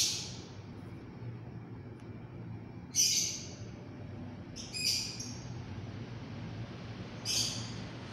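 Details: Lovebird calls heard from a distance: four short, shrill, harsh shrieks at uneven gaps, the first at the start and the others about two seconds apart, over a low steady background rumble.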